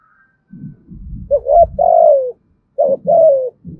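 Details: Spotted dove calling to lure other doves, in thúc gù and gáy gọi styles with a loud voice: low soft grunting notes lead into two coo phrases, each a short note followed by a longer falling coo.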